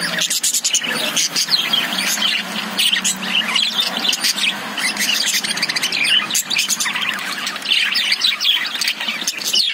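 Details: Lovebirds, also called budgies, kept inside a cage: an unbroken stream of high chirps, squeaks and scratchy warbles from several birds at once, with occasional clicks.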